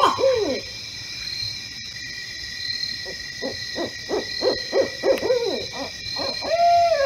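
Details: Barred owl calling in the middle of the night in a neighborhood in Poughkeepsie, New York. Opens with a slurred hoot, then a quickening series of about ten short rhythmic hoots, ending in a drawn-out descending hoot over a steady high insect-like hum.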